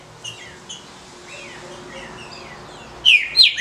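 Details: Captive female green-winged saltator giving calls meant to stimulate males: faint, scattered chirps early on, then three loud, sharp descending chirps near the end.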